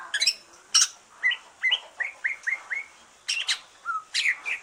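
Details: Song of a kept green leafbird that has finished moulting, played to stir other birds: sharp high chirps and a run of repeated upslurred whistles, each rising quickly, then a low flat note and more scratchy bursts.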